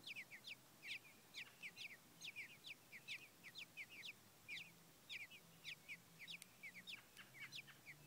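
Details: Nestling American robins wanting food, recorded 25 June 2012 as their eyes begin to open; bursts of high, sharp downward-sliding cheeps, repeated in quick clusters with short pauses between.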